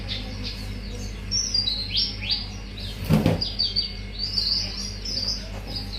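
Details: Mangrove whistler in a lure recording showing its full song repertoire: a busy run of high, quick down-slurred whistles, some overlapping, with a brief sharp knock near the middle and a low steady hum beneath.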